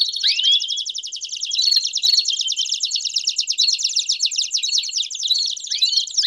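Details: Belgian canary song for warming up a canary: a long unbroken high trill with a few rising swoops at the start and end, bright and continuous.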